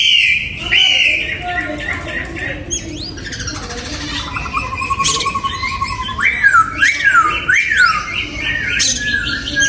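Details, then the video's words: Oriental magpie-robin in a breeding aviary, 2022: a sustained whistle opens, then varied phrases follow, including a steady trill and a run of repeated swooping whistled notes. "Giọng Chim Choè Than Hót"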